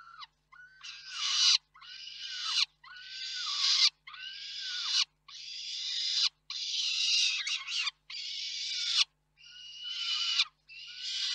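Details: Peregrine falcons calling at a nest in Reda, Poland, on 4 May 2023, while parents bring food to the nest. Drawn-out, harsh wails repeat roughly every second and a half, each swelling in loudness and ending abruptly.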